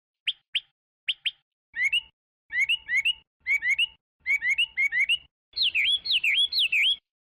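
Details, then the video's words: Chinese hwamei song: sharp paired notes first, then loud rising whistled phrases repeated in quick groups, ending in rapid looping up-and-down whistles. "ساعه من تغريد طائر الخوامي Chinese Hwamei"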